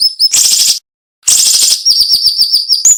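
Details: Sharp cinnamon-bellied flowerpecker song used for training songbirds: two rough buzzy bursts separated by a short silence, followed by a rapid string of high wavering whistled notes.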